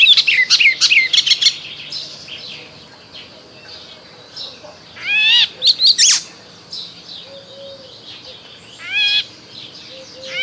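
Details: Springtime Icterine warbler: a dense opening jumble of high chattering notes, then separate bursts of rising, buzzy, ladder-like phrases with quieter gaps and a faint low whistle.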